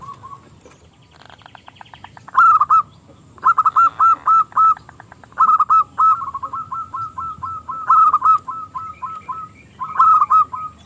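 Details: Local zebra dove with a small, crystal voice, prized for luring rival doves into singing: a buzzy rapid pulsing opening, then repeated bursts of loud rolling coos, each followed by strings of quick, even notes.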